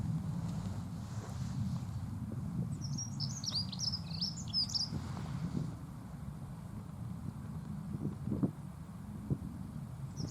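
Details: Dunnock song, described as pleasant: a quick, jangling warble of high, squeaky twittering notes lasting about three seconds, over steady low rumbling background noise.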